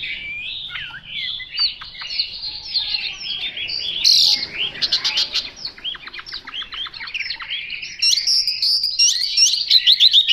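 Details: Chinese hwamei singing a rich, fast, varied song of whistled slurs and chattering notes, rising and falling, with bright high trills near the end.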